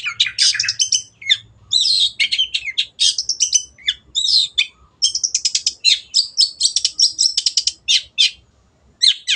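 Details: Long-tailed shrike, a kept bird in full song on a training recording: dense, fast scratchy warbling mixed with high squeaks and clipped notes, running almost without break, with a faint low hum early on.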